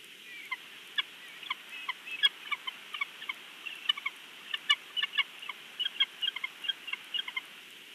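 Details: At a Big Bear nest watched by a live camera, the male bald eagle keeps up a long, steady series of sharp, high piping notes, about two or three each second, some doubled, over background hiss.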